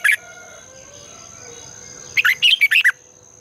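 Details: Red-whiskered bulbul morning lure song in the long double twisting voice style, used to train and spur other bulbuls into competitive singing: a single sharp note opens, then a quick burst of five warbled, bouncing notes near the end over steady tonal hum.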